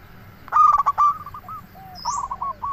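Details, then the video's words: Zebra dove, kept as a decoy singer, gives one loud rapid run of rough coos, then softer rolling coo notes; another bird adds a short high rising chirp near the end. "Perkutut Lokal Gacor RAJA PIKAT Ahlinya Bikin Semua Burung Perkutut Langsung Nyaut"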